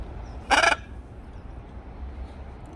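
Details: Pet blue-and-yellow macaw teasing its owner indoors: a single loud, harsh, raspy squawk of about a quarter second, then quiet room hum.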